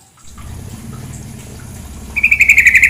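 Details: Female sooty-headed bulbul heard over steady flowing water. Near silence at first gives way to a late burst of fast, ringing chatter: rapid bright notes repeated about eight times in under a second.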